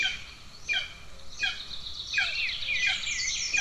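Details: Hungry golden eagle nestlings in Estonia, 2 June 2024, amid sibling aggression; a few evenly spaced falling squeals give way to a dense, overlapping high chatter of calls.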